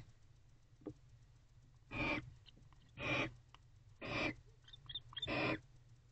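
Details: Female barn owl inside a nest box at 3:09 am on 23 September 2023. Four harsh, hissing screeches, each about a third of a second long, come roughly once a second over a low steady hum.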